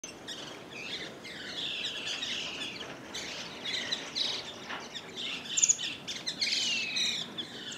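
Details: Chestnut-crowned laughingthrush (nominate subspecies) at Pangot, India, in November 2023, calling in a busy run of high, chattering and slurred notes that overlap throughout, over a faint natural hiss.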